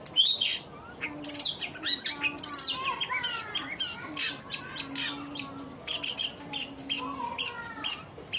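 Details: Long-tailed shrike in sustained chattering song: rapid high chirps, rising and falling whistled slurs and scratchy notes tumble together almost without a break, with a faint low hum beneath.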